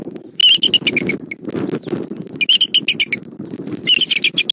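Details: Bald eagle at a nest in Southwest Florida, where an adult male brings in a fish and then eats it himself. Bright, high piping notes come in quick chattering bursts three times, with rustling and flapping-like noise underneath.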